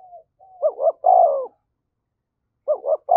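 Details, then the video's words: Spotted dove cooing to provoke a fight, in the 'giọng thổ' voice style. Low mellow coos: two quick rising-and-falling notes run into a long drawn coo, then the pair of quick notes returns after a short pause. "cu gay kich boi nhanh noi gù/ tiếng chim cu gáy thúc đấu"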